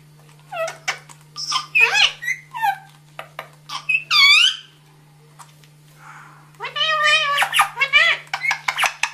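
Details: Parrot chattering in speech-like bursts: squeaky, rising syllables and a short whistled note, then a pause and a fast, babbling phrase.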